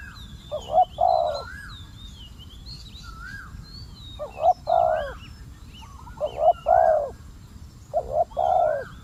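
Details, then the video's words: Spotted dove luring a fierce wild dove, giving four spaced coo phrases of a brief note plus a longer husky one, amid frequent high chirps and whistles from other birds. "เสียงนกเขาใหญ่ เจ้าวุ่นวาย"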